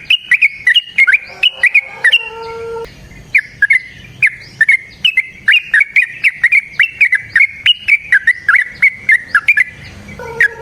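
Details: Yellow-vented bulbul singing to provoke another bird to sing: a long run of quick whistled, slurred notes repeated rapidly, broken briefly by a few lower steady tones, with sharp clicky onsets throughout.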